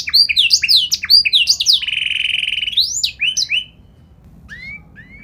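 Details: Chatty canary in full song with special melodic turns: quick downward-sweeping whistled notes, then a long buzzy rolled trill held for about a second, more swept phrases, and a pause before a few soft notes.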